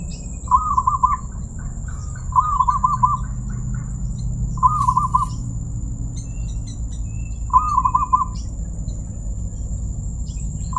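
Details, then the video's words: Zebra dove with a 'crystal' voice repeating short, rolling, trilled cooing phrases, four bursts spaced two to three seconds apart, with a low background rumble and a thin steady high-pitched whine throughout. "perkutut suara keristal"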